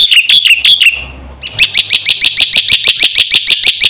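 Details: Black-winged myna in full song, used as a lure and training recording for caged birds; a short run of bright chirps, a brief pause, then a fast steady series of sharp, ringing notes repeated about three times per second.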